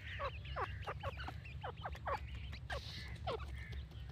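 Grey francolin giving a fast run of harsh, downslurred notes, several each second, over a steady low hum.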